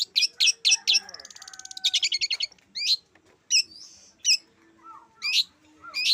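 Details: Long-tailed shrike singing energetically; sharp repeated chattering notes, a fast dry rattle, then scattered high slurred whistles and a few lower soft notes.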